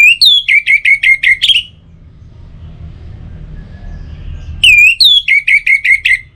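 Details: Orange-headed thrush song meant to set birds singing morning and evening: two phrases several seconds apart, each a swooping whistle then a rapid series of seven or eight clipped, repeated whistled notes.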